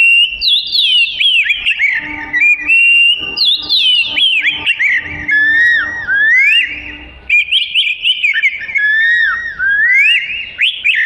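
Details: Continuous varied song of an oriental magpie-robin, lively and chatty, offered as tutoring material for other birds: rapid rich whistles, slurred up-and-down phrases and quick trills running almost without break, with a faint low steady hum beneath.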